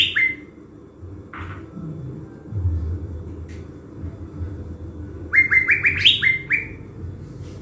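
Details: Blue-winged leafbird kept caged as a decoy in Bình Thuận, Vietnam, before going to the forest. Scattered single whistled notes are followed by a dense run of climbing, upward-slurred whistles near the end. Quiet low hum in the background.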